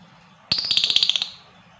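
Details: Lovebird giving a long ngekek meant to provoke other lovebirds: one harsh, rapid chattering trill of about a dozen pulses over three quarters of a second, high-pitched and buzzy.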